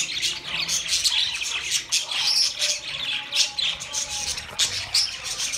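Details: Budgerigars in a group keep up shrill, scratchy chattering, with pulses of louder squawks about every half second and a few piercing whistled notes.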